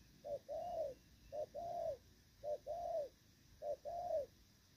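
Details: Moulting spotted dove giving Thổ Pha-style coos, dated 3 June 2024: four paired phrases, a brief clipped note then a longer rounded coo, evenly spaced about every second, soft and low-pitched over faint hiss.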